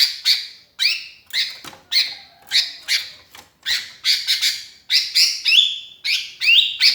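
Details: Lonely sooty-headed bulbul calling to companions, played as a lure: steady run of buzzy chirps about two per second, ending in clearer slurred whistles.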